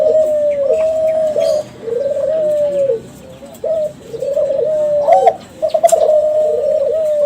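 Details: Lure song of a young Kelantan spotted dove bred from contest champions: looping phrases of warbling coos ending in drawn-out level notes, a short gap, then more quick coos.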